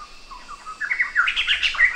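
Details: Black-hooded laughingthrush opening with soft, short low notes, then breaking into loud, quick scratchy chirps and squeaks that climb higher in pitch.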